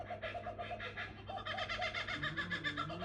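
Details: Two kookaburras calling at night give a rapid, rolling chuckle of harsh, hooting notes, about four a second, which builds as the second bird joins in over a low steady hum.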